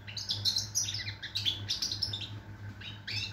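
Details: Goldfinch singing on 22 September 2023, a continuous run of liquid twittering and chirping notes with quick trills and brief buzzy elements, steady low-pitched hum underneath.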